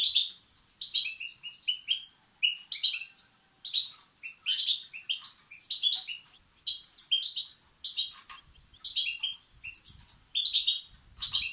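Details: Goldfinch nestlings begging, European goldfinch, a recording used to stimulate males: a long, regular run of high, buzzy chirp bursts, about one or two a second, in an otherwise quiet setting.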